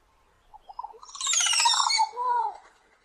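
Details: Recongo singing a rough, scratchy phrase: soft rising notes build into a loud, harsh burst lasting about a second, followed by a lower, drawn-out falling note. The background is quiet.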